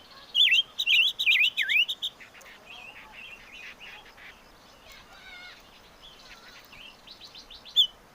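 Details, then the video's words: Chim ngũ sắc singing: a quick run of loud, looping whistled notes sweeping up and down during the first two seconds, then softer scattered chirps and warbles, with one last sharp note near the end. "Suab Noog Quaj || Chim ngũ sắc hót hay"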